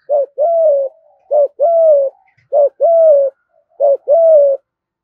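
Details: Spotted dove urging coo in 'thổ' voice, said to provoke wild and lure doves; four quick paired notes, each a short hoot followed by a longer level coo, repeated at about one-second intervals.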